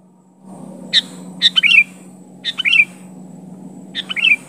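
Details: Sooty-headed bulbul calling to challenge a rival, a pure bulbul voice with no mimicked fill-ins; four short bright phrases, each a couple of quick chirps ending in a hooked, falling whistle, spaced about a second apart over a steady low hum.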